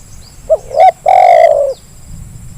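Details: One zebra dove phrase played to coax idle birds into calling: brief coo, quick upward-bending note, then a long full coo sliding slightly lower, a faint chirp from another bird nearby.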